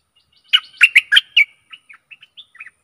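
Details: Stripe-throated bulbul decoy song for attracting aggressive wild birds. Five loud, rich, bubbling notes come in quick succession, then a trail of quieter, short whistled chirps.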